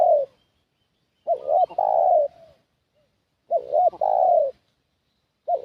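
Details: Spotted dove used as a lure for wild doves, calling a decoy coo phrase: a quick double looped note followed by a long, level-then-falling coo, repeated roughly every two seconds in a quiet setting.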